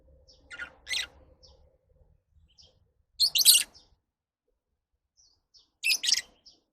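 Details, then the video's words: Shrill lovebird chirps come in bursts roughly every two to three seconds, with a faint low hum early on. "Love birds Sounds"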